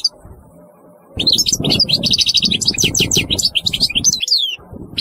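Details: European goldfinch delivering a fast, jumbled twittering song of high tinkling and buzzy notes after a short quiet start, over low rumbling background noise.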